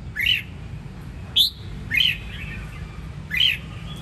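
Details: Sông Kon red-whiskered bulbul from Quảng Nam, Vietnam, giving four separate clear whistled notes, each arching up then down, spaced roughly a second apart above faint low rumble.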